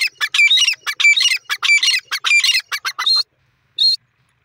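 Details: Grey francolin, known locally as teetar or gora teetar, calling: loud, harsh, squawky notes delivered in rapid rhythmic bursts for about three seconds, then a brief pause and one more short, high note.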